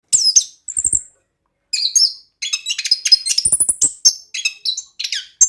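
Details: Orange-headed thrush song used as a lure to make a quiet bird sing: a varied, rapid stream of high whistled and scratchy phrases with sharp slurred notes and mimic-like twitters, nearly continuous with brief pauses.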